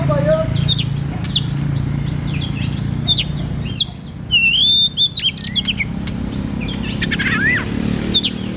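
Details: White-rumped shama song played to stimulate a young or quiet bird: scattered whistles and chips, then a loud run of looping whistled notes midway and a falling slur near the end, over constant low rumble.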